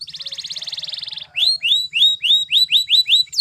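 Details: Belgian canary training song with a fast pulsing trill followed by a series of separate rising-then-falling whistled notes, about four each second.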